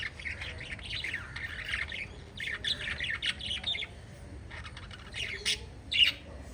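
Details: Five playful pet lovebirds chatter constantly, making high, rasping chirps and squeaky notes in busy clusters, with brief pauses and one louder sharp squawk near the end.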